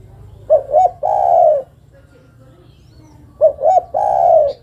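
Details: Female spotted dove calling the male, giving two phrases about three seconds apart, each two short clipped coos followed by one long, level, slightly falling coo.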